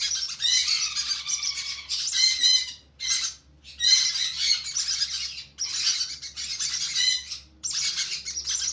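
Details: Conure chicks begging during hand feeding: harsh, raspy squawking bursts, broad and noisy, coming in rough groups about every two seconds with short gaps between.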